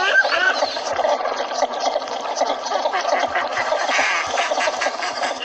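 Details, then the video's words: Northern shoveler ducks from a hunting outing in Pakistan: a dense, continuous chorus of overlapping nasal quacks and chattering calls from many birds, with no pauses and a steady rough texture throughout. "Shoveler Duck Call"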